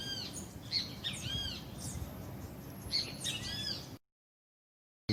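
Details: Sayaca tanager chick being hand-raised: bursts of high, arched chirps repeated in quick clusters near the start and again after three seconds, over low handling rustle, ending in silence.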